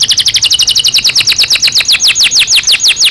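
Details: Loud Belgian canary song of repeated downward-slurred whistled notes, gradually slowing and lengthening across the phrase.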